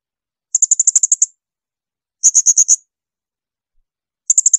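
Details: Piercing, very high Blue-crowned hanging parrot bursts used as training song for other songbirds: quick groups of seven to eight sharp notes separated by pauses.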